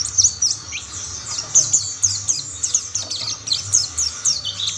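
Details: A chorus of mountain white-eyes, with other birds joining in. Busy, high, overlapping twitters and thin descending chirps run through the whole stretch.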